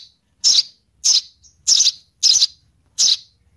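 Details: Young sparrow begging for its mother, giving five rasping, hissy chirps at a steady pace of roughly one every 0.6 seconds, with quiet between calls.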